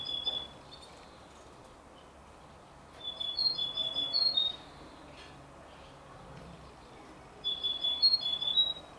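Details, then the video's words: Canary crossed with European goldfinch, a 33-day-old chick, uttering three bursts of quick, high twittering chirps separated by pauses of a few seconds, with faint background hiss between them. "canari x chardonneret a 33 jours"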